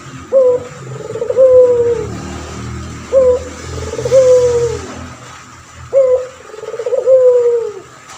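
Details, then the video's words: Male puter pelung turtle dove singing actively as a tutor bird for others: three coo phrases at even intervals of about three seconds, each with a short opening note, a rolling tremolo and a long falling coo, over low background hum. "Burung puter pelung jantan gacor"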